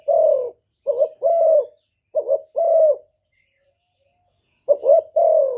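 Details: Spotted dove cooing in the 'thổ thúc' voice to provoke wild birds. Soft deep hoots in phrases of a short wobbling note and a longer level coo, three phrases with a quiet gap before the last.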